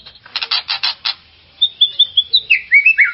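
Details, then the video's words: White-rumped shama song for stirring up another shama: a quick series of harsh buzzy notes, a pause, then a run of bright clear whistled notes dropping and rising in pitch. "auto emosi dengar kicauan ini..."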